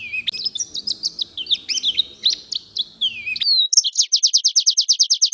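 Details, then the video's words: Oriental white-eye in full-filled 'gacor' song, responding to another bird: high warbling twitters for over three seconds, then a switch to a rapid, evenly repeated trill of identical notes. "Suara Pleci Gacor Full Isian Direspon Langsung Nyahuut."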